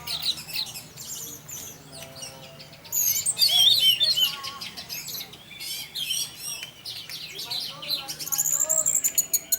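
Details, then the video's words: Caged-style lure song of an orange-headed thrush in 'teler' mode, aimed at getting other thrushes singing; quieter chattering at first, then loud rapid high trills, squeaky whistles and clicks, ending in a long thin rising whistle. "Pancingan Burung Anis Merah Tarantula Anis Merah Teler untuk penggoda anis lain agar ikut teler"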